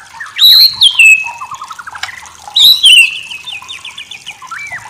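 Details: Tutor-recording song of the white-rumped shama: loud, high, upswept whistles that fall into level tones, mixed with short descending trilled runs and fainter chatter.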